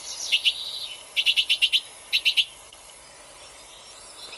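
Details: Bewick's wren call: short, high, sharp notes in clusters, a pair, a quick run of five, then three, over a faint steady hiss.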